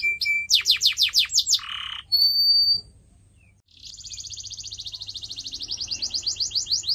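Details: Pet-bird training canary singing, opening with a quick series of downward-sweeping notes and a harsh buzz, a thin whistle, a short pause, then a long rapid rolling trill, over a faint low hum.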